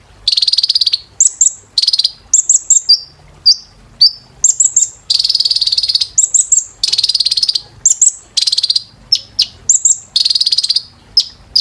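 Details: Kolibri ninja (brown-throated sunbird) singing continuously in training audio for caged birds: long rapid buzzy trills alternate with groups of very high sharp chips and brief falling whistles, in a piercing high tone.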